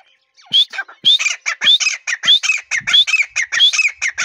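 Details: Breeding-season call of a grey partridge (teetar): loud, rhythmic, harsh squawking notes in quick succession, regularly broken by sharp rising whistles, a clean, insistent repeated pattern with little background noise.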